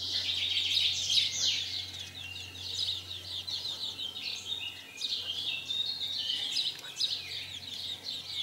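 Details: Several bursts of rapid, high-pitched house sparrow chirps during mating in 2020, roughly three per second, in clustered, overlapping runs.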